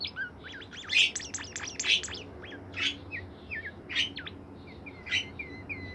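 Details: Active song of a caged bimoli bird. Loud high chirps about once a second are interspersed with quick down-slurred whistles and short rising notes, over a low background hum.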